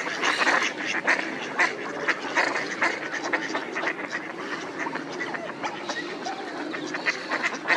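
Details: A flock of ducks swimming quacks steadily, overlapping nasal calls coming several per second with harsh bursts throughout and no other sounds.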